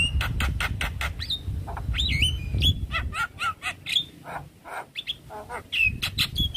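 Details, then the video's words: Loud, stressed Javan myna answering a myna call with dense rapid clicks, repeated harsh notes and upward-sweeping whistles, fast and irregular, over low rumbling noise. "Jalbo Stres Seketika respon dengar panggilan Jalak Kebo"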